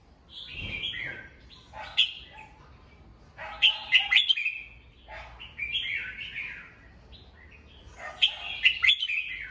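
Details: Morning song of a kept red-whiskered bulbul, played to train and excite other bulbuls: three bright warbled whistle bursts, about four seconds apart, each a quick tumble of slurred notes with crisp clicks.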